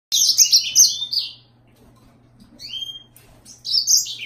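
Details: Yellow-fronted canary singing: bright, high twittering phrases of quick chirps and slurred whistles, a short burst, a pause with a rising whistle, then another burst; faint low hum throughout.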